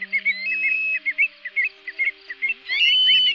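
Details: Greater sand plover flock call played to draw migrating birds to nets at night in August 2024: a burst of quick whistled chips, a long even whistle, then a clustered rising whistle, over low electronic tones.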